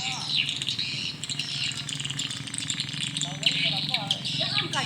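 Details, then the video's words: Many swiftlets calling in the evening at a small swiftlet house, a continuous wash of high, sharp twittering chirps with brief downward-sweeping notes, over a steady low hum. "Burung walet respon di Rbw mini"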